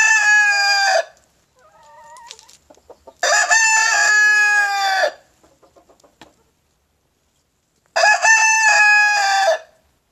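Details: A White Leghorn rooster crowing non-stop on a spring morning to impress hens, three loud, harmonic-rich cock-a-doodle-doos about two seconds long, with soft clucks between.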